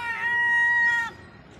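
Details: Herring gull chick on an empty Terminus Road in Eastbourne, UK, during the third lockdown, refusing bread; a single drawn-out, steady, even-pitched mewing note lasting about a second, then quiet street background.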